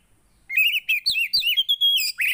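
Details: Javan white-eye song for stimulating a non-singing bird: a steady stream of high, sweet, slurred whistles and twitters, notes rising and falling rapidly with a few sharp clicks between them.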